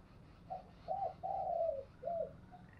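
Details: Decoy spotted dove heard at a distance over steady background noise, luring wild doves: short coo, a bent double note, a long falling coo, then one more short coo.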